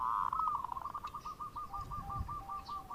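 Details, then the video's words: Zebra dove, a local bird in active bekur song for luring. A long even run of quick hooked notes against steady hiss and low background rumble. "Perkutut Lokal Gacor Suara Bekur Untuk Pancingan"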